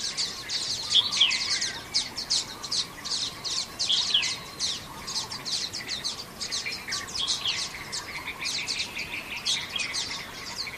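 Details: Common waxbill chatter recorded in Xinyuan Township on 3 June 2024: a continuous stream of sharp, buzzy, high-pitched chips and twitters, densely packed and slightly varied, seemingly several birds calling together for about ten seconds.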